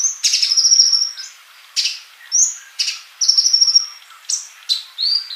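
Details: Actively singing sunbird (kolibri) for bird training: drawn-out thin, high whistles alternating with sharp chips and buzzy bursts, phrases a second or so apart.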